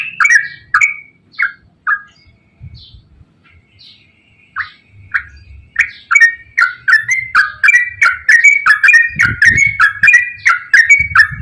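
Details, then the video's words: Straw-headed bulbul, used to provoke reluctant birds into singing, gives a long run of loud, bubbling, rich whistled phrases, sparse at first, then rapid and continuous, with low thumping noises underneath. "KICAU TRUCUKAN GACOR ROPEL PANJANG AMPUH UNTUK PANCINGAN TRUCUK SUSAH BUNYI"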